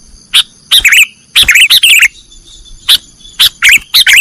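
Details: Sooty-headed bulbul, called kutilang, delivering nggaruda song for caged-bird training: bright chirps and short tumbling warbles in bursts, a pause near the middle, then more spaced sharp notes.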